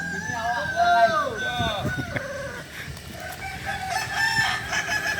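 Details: Kukuak Balenggek roosters at a group training session in Ampang Kualo, Kota Solok, with arched, overlapping crows that rise and fall, blurring into a dense chorus of several birds against steady background noise.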